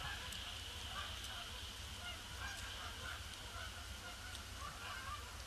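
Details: Canada geese in a large flock circling a pond before landing on a gloomy, grey Boxing Day, 26 December 2015; scattered nasal honks from many birds overlap above a steady low rumble and broadband background hiss.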